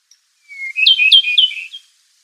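An Okinawa nightingale sings one short phrase: a thin whistled opening note, then a quick run of bright, slurred notes lasting about a second. No other sounds.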